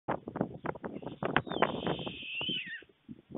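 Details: White stork at a nest in Fohrde, Germany, on 23 July 2019 around 12:41 PM, as food is brought to the nest: rapid rough clattering pulses, several per second, then a thin drawn-out whine that slides downward near the end.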